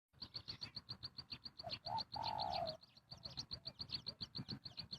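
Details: Spotted dove cooing during bird trapping to lure wild birds: short low notes followed by one drawn-out, slightly falling coo. Rapid, steady high chirping runs behind it, about four pulses per second.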